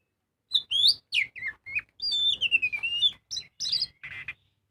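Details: Oriental magpie-robin in energetic ngobra-style song, used as a lure to get other birds singing: rapid varied whistles and trills, one long slurred falling whistle in the middle, then harsh buzzy notes, about three notes a second.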